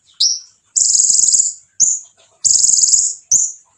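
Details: Konin singing to provoke other konin: a sharp falling note, then a long high buzzy trill, a short hiss-like note, another long trill and a final short note, alternating steadily.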